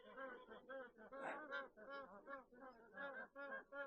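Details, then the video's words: Magpie geese at Fivebough Wetlands, Leeton, New South Wales, in late April, heard from a hide overlooking ponds with many ducks: loud, nasal honks in overlapping bursts, several birds calling together in a steady rapid chorus. "Those ones that are honking are magpie geese."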